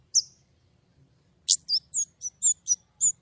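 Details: White-rumped shama singing clearly: one high whistle, a pause, then a burst of six or seven crisp, high, slurred whistled notes in quick even succession over a faint low hum.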